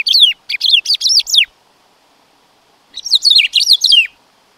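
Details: Black-throated grosbeak: two bursts of quick, descending whistled notes in a choppy series, about one and a half seconds each, with a silent gap between them.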